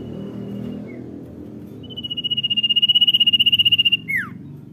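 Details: Singing common iora in dor nyiul style: one rapid, pulsing whistled trill builds in volume for two seconds, then drops in a steep slur. Low background rumble and a short faint note come before it.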